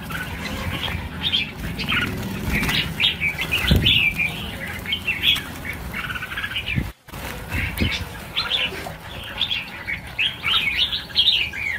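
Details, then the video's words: Red-whiskered bulbuls, a flock of some thousand birds set free at once, pour out crowded, jumbled chirping and quick slurred notes, many voices layered together, with occasional bumps and fluttering wings below. "Phóng sinh 1000 con chim chào mào - chào mào căng lửa"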